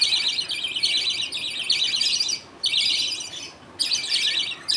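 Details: Budgerigar colony at feeding time, father feeding food paste to two chicks after eating millet while mother watches and other budgies wait; dense, scratchy high chirping in long bursts with two brief pauses.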